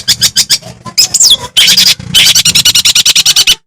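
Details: Long-tailed shrike of the Madura type in loud, energetic song meant to provoke other shrikes into singing and agitation: rapid harsh, rattling notes repeated several per second, broken by a short scratchy squeal and a dense burst.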